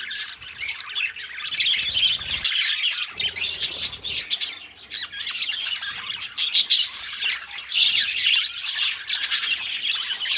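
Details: Pair of pet budgies singing together: busy, high-pitched twittering and warbles with scattered squawks, briefly thinning out near the start before the rapid chatter resumes and carries on steadily.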